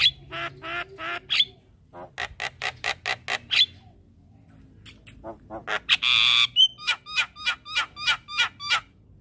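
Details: Javan myna song used daily at morning to prompt a silent bird; harsh repeated rasps, a quiet gap, then a drawn-out buzzy squawk and a quick row of sharp ticking notes.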